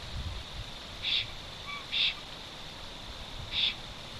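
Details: A black stork at its nest in the Notecka Forest, Poland, on 12 August 2022, calling loudly on returning after two days away: three short, hissing, high-pitched bursts about a second apart, then a longer pause, over faint hiss.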